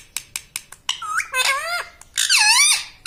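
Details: Pet parrot indoors that talks, saying "mitthu" and "mummy": a few quick clicks, then two drawn-out, bending, harmonic utterances that glide up and down.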